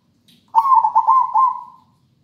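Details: Zebra dove, a local bird, singing a melodious rhythmic song used to prompt lazy birds to sing: one low cooing phrase of about 1.3 seconds, a steady hum broken into quick rolling pulses, clean with a quiet background.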